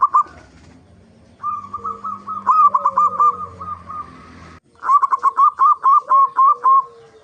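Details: Local zebra dove singing actively as a lure to get other zebra doves singing: fast trains of short, bubbling coo notes, with a fainter, longer, lower dove note in the background during the phrases.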